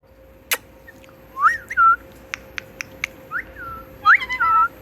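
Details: Pet talking parrot, said to repeat the word "Mitthu", gives short whistled upslurred and downslurred notes in two bursts, with sharp clicks and taps between them and a steady faint hum behind.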